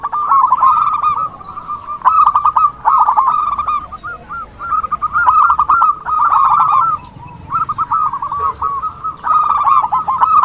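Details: Trapping lure recording of a vigorously singing zebra dove: long runs of fast, clipped cooing notes on a steady pitch, broken by brief silences, several phrases following one another.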